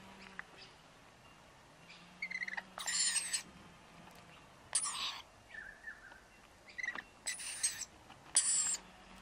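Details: Two young wild Rainbow Lorikeets fed by their parents on powdered nectar at a balcony: repeated harsh, high-pitched rasping screeches in short bursts, interspersed with softer chirps and a faint low hum.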